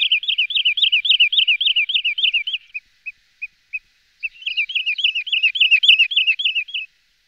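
Wood Sandpiper giving fast runs of high, clipped whistled notes, about three a second, broken by a few single notes before another quick series; nothing else is heard.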